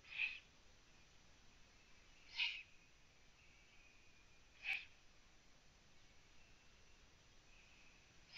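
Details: Eurasian eagle-owl at a nest in Latvia, seen on a live camera on 9 June 2017 at 03:27 while prey is brought: hoarse hissing rasps repeated about every two and a half seconds, four in all, over faint hum.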